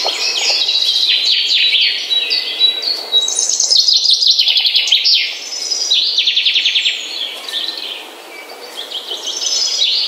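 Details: Birds singing in the morning, a dense chorus of bright chirps, fast rattling trills and high sweeping whistles, phrases tumbling over one another with a brief lull near the end.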